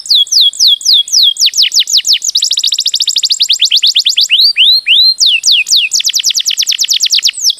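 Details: A canary sings a training song for other birds, alternating swooping whistles with a fast, buzzy rolling trill and returning to loud slurred whistled notes.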